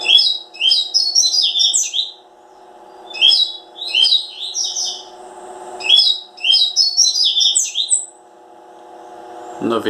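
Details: Three bursts of rapid, high, twittering song from a Double-collared seedeater at even intervals, a steady low hum throughout and a brief noise at the very end.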